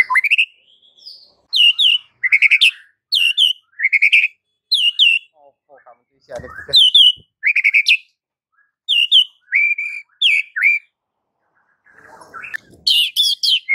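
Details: White-rumped shama (murai batu) masteran recording: bright, sharp high whistled notes in quick paired bursts, separated by brief silences, with a short rough buzzy sound midway and a harsh burst near the end.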